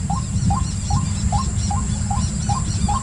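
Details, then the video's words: Even series of quick upslurred calls from a white-breasted waterhen, around two per second, with faint high chirping above and a loud low rumble throughout. "White Breasted Waterhen"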